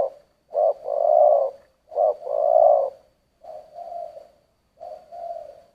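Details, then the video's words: A spotted dove gives four low two-part coos in the thổ voice style, each a short note then a long rich drawn coo. The first two are loud and the last two are softer and flatter. "Tiếng chim cu gáy giọng thổ"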